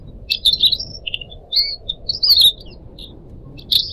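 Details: Pied Triller song from kept birds, recorded to train and prompt other triller birds to sing, set over trickling water; lively high chirps and short whistled slurs come in quick clusters, then fall silent before a final burst.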